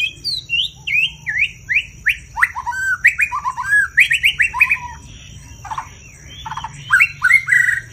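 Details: A white-rumped shama (Copsychus malabaricus), a cage songbird, sings loud: a rich, varied run of whistled and slurred phrases, rising and falling, with harsh notes mixed in and a steady high hiss behind.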